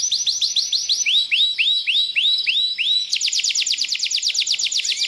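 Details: Canary singing a loud, fast song: rapid series of downward-sweeping whistled notes, then a quicker, higher trill of repeated short notes, clean and continuous with no other sounds.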